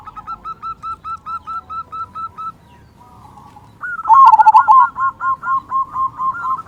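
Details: Local zebra dove with a big 'kung' voice, played to prompt quiet doves to sing: a steady series of soft, even coo notes, then a loud rolling coo and another quick run of repeated notes.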